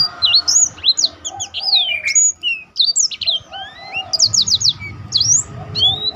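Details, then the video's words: Training song of a black-throated canary, meant to make other birds sing; rapid high slurred whistles and short trills, with softer lower warbles underneath and a faint background hum. "burung blackthrout lain pun ikut tergoda berbunyi."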